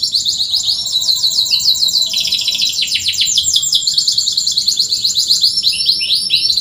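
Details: Lively canary song used as a lure and tutor for canaries that rarely sing: dense, high trilled tours of rapidly repeated chirps, shifting pitch every second or so, continuous throughout with no other sounds.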